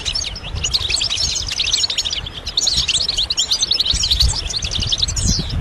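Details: European goldfinch song played as stimulation: a dense, continuous twittering of high, rapid chirps and short trills, with fast slurred notes running almost without pause and a faint low rumble beneath.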